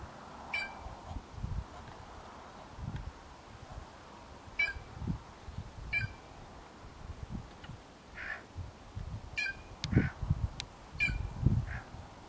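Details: White-naped jay calling free in the wild: short, clipped, ringing notes spaced irregularly, sometimes in quick pairs, over a steady low rumbling background noise.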